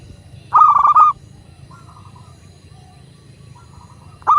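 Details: Local zebra dove used as a master recording to get doves singing. One loud burst of rapid, trilling coos, then faint distant coo notes. Another loud burst starts at the end.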